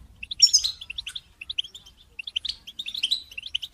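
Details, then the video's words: Several European goldfinches twittering together, a chorus played to help goldfinches sing and come out of moult; bright high chirps and short trills in loose bursts, loudest near the start, with quieter gaps between. "بتبتة جماعية تساعد الحسون على التغريد والخروج من مرحلة غيار الريش"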